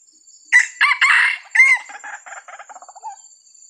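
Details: Wild red junglefowl in Sumatra, early 2021, approaching a decoy rooster during a luring hunt; two birds came. One loud, harsh crow of several choppy syllables, trailing off over about two and a half seconds, over a steady high insect buzz.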